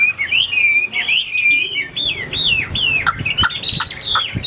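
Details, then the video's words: Chinese hwamei from a cage, a wing-spreading fighting bird, gives a flowing series of rich whistles, arching and dipping slurs linked into a continuous varied phrase. "Họa mi số 1118 Đấu xòe chơi cánh dáng cao"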